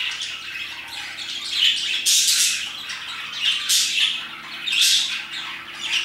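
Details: Around 2pm, parakeets keep up a busy, scratchy twitter broken by three or four louder squawking bursts spaced about a second and a half apart.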